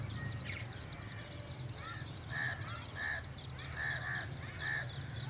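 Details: {'text': 'Crow cawing in short, separate bursts, some doubled, over a constant low rumble of background noise.'}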